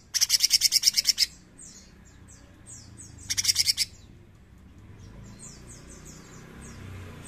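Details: Bulbul locally named cucak cungkok singing: two loud fast rattling bursts of harsh pulses, followed by a long run of soft high downslurred whistles over faint low rumble.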